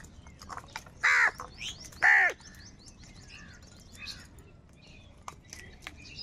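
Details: Crows crowing and crying while fighting for food: two loud, harsh, flat caws about a second apart, then fainter rough calls and steady high chirping from small birds behind.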